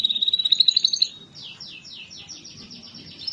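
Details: Canary song meant to trigger singing in lazy canaries: a fast pulsing trill on one pitch for about a second, then a quieter series of repeated downward-sweeping notes.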